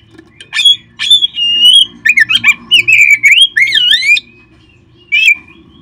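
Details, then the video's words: Oriental magpie-robin song used as a singing lure for kept birds: a long level whistle, then a busy sequence of chirps and swooping slurred whistles rising and falling, closing with one short phrase after a pause. "perangsang terb4ik jadikan Kacer Anda nge-play gacor seketika"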